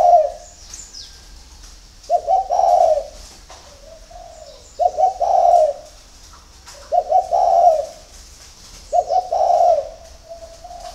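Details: Spotted dove cooing at dawn, kept at a bird farm in Ba Vì, Hanoi, Vietnam: five evenly spaced phrases of clipped, stuttered notes flowing into a rich rolling coo, with soft hums between them.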